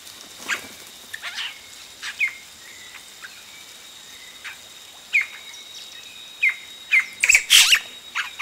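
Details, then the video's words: Yellow-rumped cacique chicks calling at the nest as adults arrive, recorded close up; short sharp chirps and clipped whistled notes come in scattered bursts, busiest near the end, with a faint steady high hiss behind them. "Yellow-Rumped Cacique. CU Calls From Chicks As Adults Arrive At Nest."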